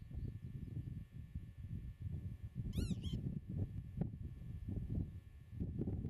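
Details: Common redshank near its nest in a meadow, camera set 8 metres away: a pair of clear, ringing whistled notes, rising then falling, midway through constant low rumbling wind noise.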